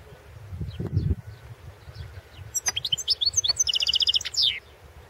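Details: European goldfinch singing at the 2016 World Championship in Goldfinch Song, competition entry 003/2016: a low thump, then a rapid run of high, tinkling twitters and trills for about two seconds.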